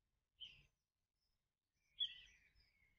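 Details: Common kingfisher chick at an artificial nest tube calling unsuccessfully for its parent before crawling to it in a second nest: two brief, harsh, high rasping calls about 1.5 seconds apart, the second longer and trailing off.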